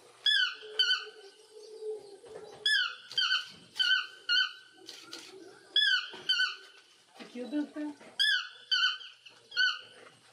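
Keel-billed toucan giving squeaky, creaking notes in quick bursts of three or four, repeated every couple of seconds; faint low voices murmur underneath.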